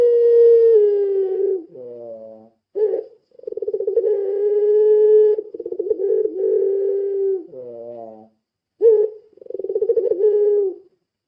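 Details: Lure call of a puter pelung dove: a long, level, hollow coo, a sliding downward note, a brief sharp chirp, then throbbing coos that draw out into another long coo before a further descending slide and chirp.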